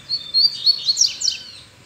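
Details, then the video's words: Free-flying male double-collared seedeater singing with a female nearby: a short, bright, high-pitched run of quick whistled and trilled notes lasting under two seconds. "OLHA A FIBRA DESSE COLEIRO SOLTO!!! VOLTOU AO NORMAL!!! O QUE UMA FÊMEA NÃO FAZ.."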